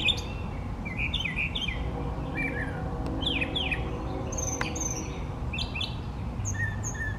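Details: Brown thrasher male in full song from a tree: a string of varied chirps, slurred whistles and sharp high notes, several phrases repeated twice in quick succession, against a constant low hum and faint background noise.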